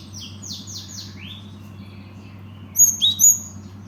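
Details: Cinereous tit giving a run of four slurred, descending whistles in quick succession, a pause, then loud, sharp, very high squeaky notes repeated three times, with a faint constant hum behind.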